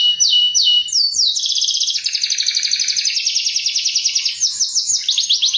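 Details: Lure song of a canary with cuit-cuit chirping: a few slurred high notes opening into long rapid rolling trills, then sweeping phrases at the end, loud and continuous.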